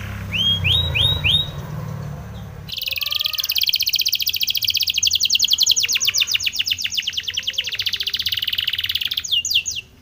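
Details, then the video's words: Spanish Timbrado canary singing a training song: a few rising whistled notes, then a long, fast, metallic trill of evenly repeated pulses lasting several seconds, ending in quick high sweeps, with a low hum early on. "Spanish Timbrado canary song for training"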